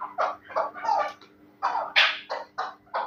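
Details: Chukar partridge of the Terali strain, kept as a fighting and hunting bird, gives a series of short, harsh chuck notes about three per second with brief pauses, over a faint steady low hum.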